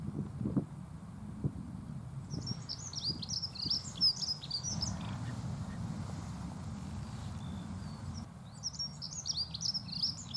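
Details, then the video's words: Dunnock singing a pleasant song: two quick, high, scratchy warbling phrases, each about three seconds long, over a steady low rumble of wind or distant traffic. "L' AGREABLE BRUIT DE L' ACCENTEUR MOUCHET"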